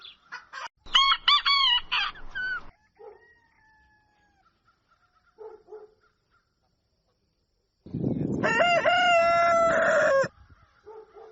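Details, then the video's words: Two crows from a rooster at daybreak, with quieter clucking and faint calls between them. The first crow is broken into several pulses. The later crow is longer and steadier, with a slight drop at its end. "Galo Cantando Ao Amanhecer | Som De Galo Cantando | Galo Cacarejando | Crowing Sounds"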